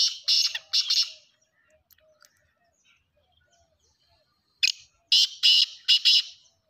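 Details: Black francolin repeating its call: a series of loud, rasping, buzzy bursts, then a quiet pause with faint background chirps, then the same grating phrase again, ending in a close double burst.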